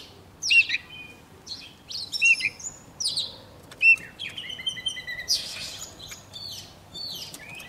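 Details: Oriental magpie-robin, young, singing eagerly with a wild bird nearby: short upslurred whistles and sharp chirps spaced a second or so apart, becoming a denser, scratchy burst of notes later on.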